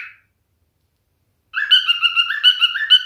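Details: Brief note, then a pause of over a second, after which a male cockatiel starts a bouncing warble of nasal whistled notes, rising and falling about twice a second.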